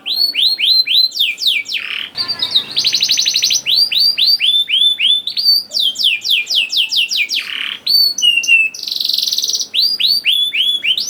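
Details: Canary song used as a lure to get young canaries singing quickly and steadily; rapid high descending sweeps repeated in runs, broken by dense buzzy rattling trills and a short lower rolling phrase.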